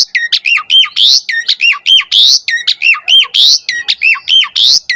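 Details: Asian pied starling puffing up in lively song, recorded as a lure for lazy starlings: one squawky phrase of hooked whistles and a harsh rising screech, repeated about every second in a steady loud cycle.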